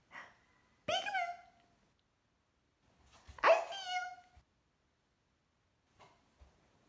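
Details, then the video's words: Pet cockatiel indoors playing peek-a-boo, uttering two loud, sharp harmonic calls that drop slightly in pitch, about two seconds apart, followed by faint clicks in a quiet room. "My Cockatiel plays peek a boo"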